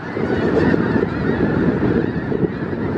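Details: Snow geese in a congregation of about 5000, south Grayson County, Texas, February 2018: a dense, even roar of honking with a low rumble underneath, the flock calling nonstop without any gap.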